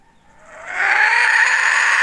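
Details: Hen recorded in 2021 gives a drawn-out nasal call that swells from quiet to loud and holds steady, sounding like a long rasping wail.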